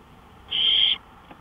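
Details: Owl on a porch at 1:53 AM on May 5, 2013, giving a single harsh, breathy screech of about half a second, followed by a faint tap.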